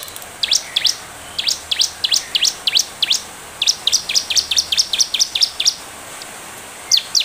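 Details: Bar-winged prinia chirping as a lure for other birds: bursts of sharp, upswept high notes, a first group, a short gap, then a faster run, and a final pair after a pause.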